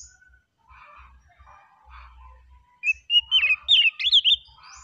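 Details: Oriental magpie-robin singing in a relaxed manner: faint low murmurs and soft chatter at first, then a burst of loud, clear whistled phrases with quick rising and falling slurs over the last two seconds.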